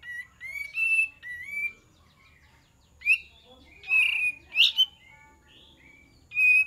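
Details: Kapas tembak singing, played to lure birds: a run of bubbling whistled phrases, some notes slurred upward, followed by loud, emphatic whistles and a final bright note after a short pause.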